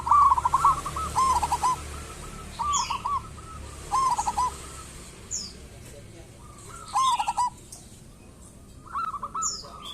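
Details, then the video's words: Local zebra dove lure recording: a loud opening pair of rolling coo phrases, then spaced shorter cooing bursts fading into softer distant ones, with occasional brief high chirps in the background. "Perkutut lokal gacor pancingan perkutut super ampuh agar bunyi cepat gacor"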